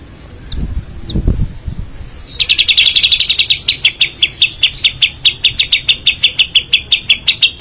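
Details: White-rumped shama in a 'full isian' song: after a few seconds of low rumbling background, a fast, even train of short sharp chips repeated about four times a second.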